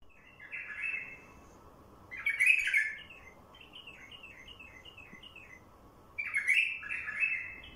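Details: Wild bulbul singing, used to lure other wild bulbuls: rich warbled phrases, a fluttering burst near the start, a loud tumbling phrase, then a run of short repeated chirps and a final bright warble.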